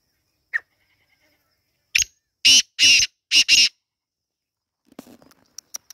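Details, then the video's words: Female black francolin (kala teetar) calling freely in jungle: a faint opening note, then a loud run of four harsh, scratchy bursts in quick succession, followed by soft ticks and scattered faint clicks. "Kala Teetar making Beautiful voice in jungle"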